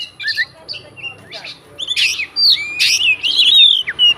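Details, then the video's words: Oriental magpie-robin, a fighting bird, singing to provoke rivals: scattered whistled slurs growing into loud harsh bursts and a long bright whistle toward the end. "BUNYI BURUNG KACER FIGTER, FULL ISIAN KACER LAIN LANGSUNG ON"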